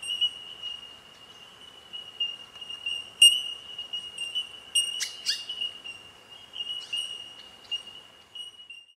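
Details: A bell miner (Australian bellbird) holds a steady, high ringing tone throughout, broken by sharp bell-like pings and a few brief chirps from other birds, while bowerbirds feed on bread crusts nearby.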